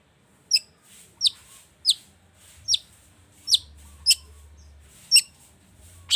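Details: Long-tailed shrike song as a lure for other birds: sharp, high, down-slurred chips repeated roughly every two-thirds of a second, separated by near silence.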